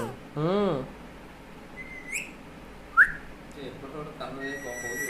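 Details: Talking parrot producing a short word-like vocal phrase with rising and falling tones, followed by whistled notes, a sharp click and further muffled speech-like sounds.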